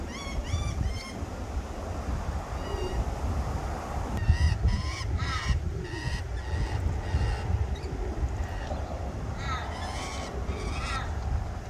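Lorikeets give short, shrill, ringing chirps in quick repeated bursts over a steady low rumble.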